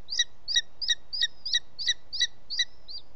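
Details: Booted eagle, a male bringing prey, an unidentified bird, to the nest late in the evening at 20:09 on 18 June 2017 in Els Ports Natural Park: nine sharp, high whistled notes with a fainter lower overtone, repeated about three per second.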